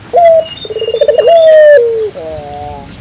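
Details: An African collared dove in active calling, used to encourage local doves to call: a clear held note, a rapid pulsed rolling coo, then a smooth falling drawn-out tone, with faint other birdsong.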